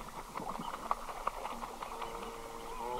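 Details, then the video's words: A single Red-breasted goose calling close-up: short, shrill, squeaky calls with harmonic overtones, mixed with water splashing and soft clicks, in a recording that also features water splashes and wing-flaps. "Red Breasted Goose / Red-Breasted Goose. MCU Calls From A Single Bird."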